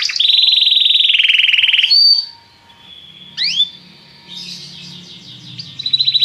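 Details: Belgian canary delivering a loud steady rolling trill for two seconds, a brief high whistle, a pause, then a single rising sweep and soft chatter before the trill resumes; faint low hum in background.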